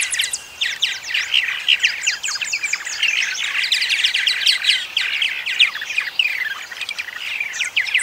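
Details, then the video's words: Purple martin song: a continuous, dense outpouring of gurgling chirps and twitters, liquid and slightly raspy, running unbroken for eight seconds with small rises and dips in loudness. "Purple Martin Song Sound"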